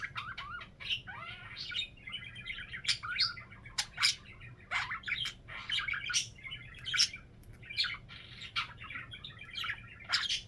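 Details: Several pet budgerigars indoors keep up a continuous scratchy chatter of chirps, buzzy warbles and sharp ticks, rising and falling in busy bursts across the clip.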